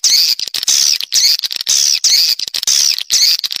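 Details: Swiftlet call used to attract swiftlets: loud, harsh chattering bursts high in pitch, each lasting about half a second and repeating roughly once a second, with short clicks between them.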